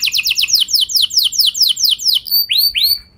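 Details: Canary song meant to make other canaries reply with long rolls: a fast trill of downslurred notes slowing into spaced sweeping notes, ending with two rising whistles.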